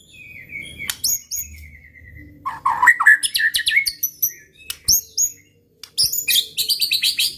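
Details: White-rumped shama song used to provoke rival birds: varied phrases mixing sharp high chips, a drawn-out whistle and lower warbled notes around the middle, then rapid bright bursts, with short pauses between.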